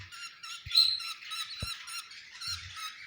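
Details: Budgerigars recorded around egg hatching: dense, overlapping harsh chirps and squawks with stacked harmonics, many birds calling at once, plus a few low thumps.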